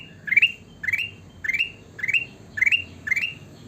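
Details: A sooty-headed bulbul keeps up rhythmic rising chirps, six or seven in under four seconds, each an upward stepped sweep closing on a short flat whistle, over a muffled low background.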